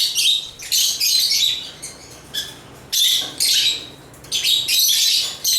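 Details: African lovebirds (Agapornis) chirping and singing: bursts of harsh, buzzy, high-pitched chatter lasting about a second each, separated by short quiet gaps, with thin whistled notes woven through.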